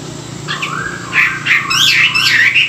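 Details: Caged Chinese hwamei in morning song training, delivering a short burst of bright, swooping whistled phrases that grow louder and richer toward the end.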